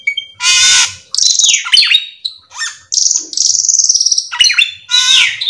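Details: Full, varied song of a cucak keling meant to prompt others of its kind to sing: a harsh rasping burst, tumbling slurred whistles, then sustained high buzzing trills and a final loud scratchy note.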